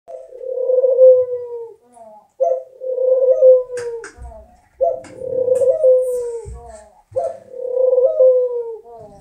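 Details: Laughing dove calling; four long, smooth cooing phrases around mid pitch, each slightly falling, repeated about every two and a half seconds, with soft clicks and knocks between them.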